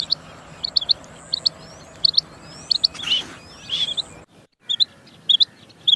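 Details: Female quail calling with short, sharp high notes, mostly in twos, repeated about every half second. Several thin rising whistles and a brief burst of noise intrude midway, a short silent gap follows, and a faint steady high whine runs throughout.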